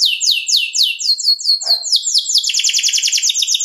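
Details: Canary giving a long 'luxurious' song used as a lure to stir other canaries: fast trills of descending sweeps, then a brief low burst mid-phrase, shifting into quicker high rolling tours.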